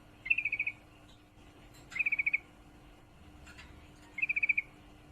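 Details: Female yellow-vented bulbul in heat calling to a male: three short bursts of six to seven quick, bright chattering notes, each burst about half a second long and spaced roughly two seconds apart, over a faint steady hum.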